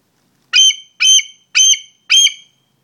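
A bald eagle gives four high, thin, whistled notes, each slightly squealing, spaced about half a second apart, against a quiet background.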